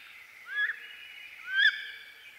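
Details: Wood duck, or Carolina duck, giving two rising whistled squeals about one second apart, each sweeping upward and ending abruptly, over a constant hiss.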